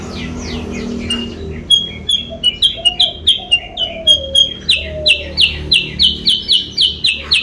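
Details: Lure call of the sooty-headed bulbul (kutilang sutra), played to make rivals approach. Scattered high chirps build into a brisk, regular chain of sharp notes, while several mellow low whistles slide downward in the middle.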